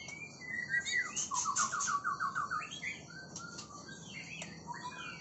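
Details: Oriental magpie-robin song opening with a whistle, then a quick run of about eight rapid, evenly spaced notes, followed by scattered twisting whistled notes and short chirps against a soft hiss.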